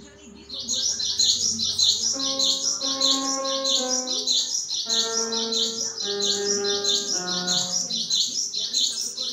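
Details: Chatty cinereous tit used as a lure and tutor recording: bright, rapid chirped phrases repeated steadily at a high pitch, over a bed of sustained instrumental music tones.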